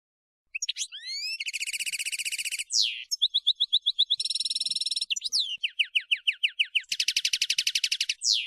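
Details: European goldfinch of a colour mutation in continuous song, alternating dense buzzy trills with quick liquid twitters and upward-sweeping chirps. The phrases are high, tinkling and rapid, and there is no background noise.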